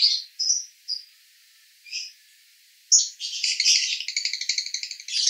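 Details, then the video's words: Male lovebird in Cibinong, Bogor, singing in the konslet style called roda gila: a few separate high chirps with pauses, then a dense buzzy chattering trill that runs to the end. "Master Lovebird Jantan Konslet RODA GILA"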